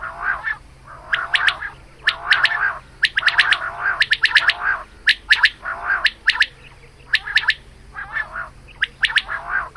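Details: Morning calls of a female quail for hunting: repeated scratchy, clicking bursts of notes, close together, nearly once a second, with brief pauses and a quiet low hum in the background.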